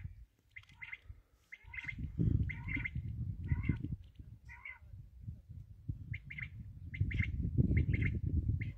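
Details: Black francolin (kala teetar) with a series of grating, chirped notes in uneven clusters. A brief pause is followed by a renewed run of calls, all over constant loud low-pitched rumble.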